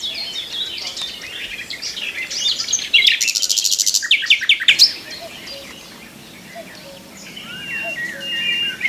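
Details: Morning song of a nightingale perched in a tree. Soft varied twitters build into a loud, rapid burst of repeated sharp notes, then ease back into quieter scattered phrases.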